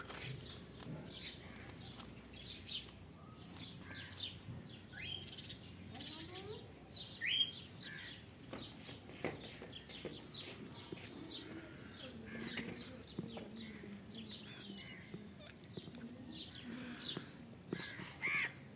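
Young cockatiels give a busy stream of short, scratchy chirps and raspy calls.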